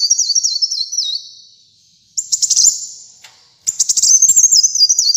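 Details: Kolibri muncang, the brown-throated sunbird, in energetic song for training caged birds: a high stepped trill falling in small notches, then two bursts of fast sharp chips running into thin sustained twitters, with short pauses.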